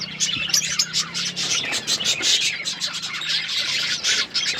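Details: Colourful pet budgerigars chirping together: a dense, continuous chatter of high, bright tweets and short warbled notes overlapping almost without pause, with a faint low hum underneath.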